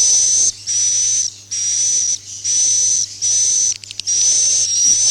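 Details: Swiftlet farming lure, the roosting call style suara inap "Masal": steady, high, breathy whistled bursts of roughly half a second to a second, evenly spaced, with a short crackling patch near the end.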